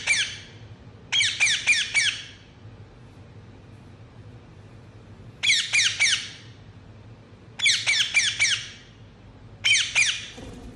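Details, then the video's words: Indoor Indian ringneck parrot giving rapid runs of shrill chirps, four to five notes per group, with pauses of up to three seconds between groups in a small room. "Indianringneck Chirping Sound"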